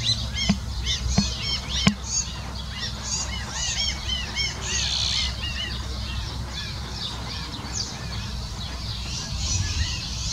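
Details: Iberian magpie fledglings that have left the nest, with adults arriving to help a frightened chick; dense overlapping harsh, arched squawks and chattering calls from several birds, with a few sharp knocks.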